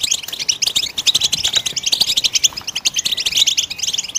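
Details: A singing goldfinch delivers a lively, high-pitched chattering twitter of quick chirps and liquid trills in a dense, unbroken flow, recorded to stimulate other birds into song.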